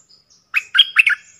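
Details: A caged decoy bulbul, one of four birds said to come from the wild, gives a short phrase of three or four slurred, bubbly chirps. Faint high twitters from another bird are heard before it.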